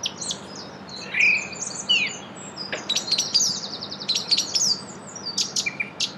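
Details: A song thrush in Brussels, Belgium, in April 2016 sings loud, clear, varied phrases, repeating a quick run of sharp piping notes several times, over a faint low hum.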